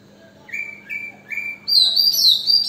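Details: Oriental magpie-robin on a balcony singing clear whistled notes: three short level whistles, then a loud, sustained, high warbling phrase with quick sweeps, over a faint steady hum.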